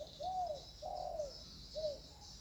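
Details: Spotted dove calling in a peaceful natural setting. Three soft, mellow coos, each a low rounded note, spaced about seven tenths of a second apart. A steady high insect hiss runs beneath.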